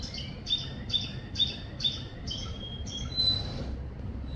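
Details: A canary sings on a rainy day, a steady series of short high notes repeated about twice a second, ending in a longer held whistle, over a constant hiss and low rumble of rain.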